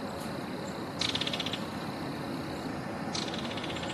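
Belted Kingfisher giving two dry, rapid ratcheting rattles about two seconds apart, each half a second long, over a steady background hiss.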